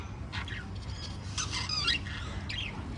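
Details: A family group of five lovebirds makes harsh, buzzy squawks in short bursts, one longer grating call in the middle and a clipped squawk near the end, against a low steady hum.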